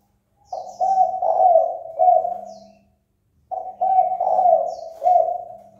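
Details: Spotted dove calling to provoke a rival into fighting: two deep, throaty cooing phrases, each a run of three or four swelling notes with the last one trailing off, separated by a short silence, with faint high chirps above.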